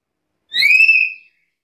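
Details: Single loud, level whistle from a Black-capped lory, starting with a quick upslide then holding steady for most of a second before fading.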